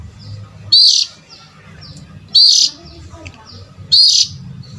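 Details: Oriental magpie-robin call used as a lure for adult birds: loud, harsh, high-pitched bursts about half a second long, repeated roughly every one and a half seconds over a low steady hum.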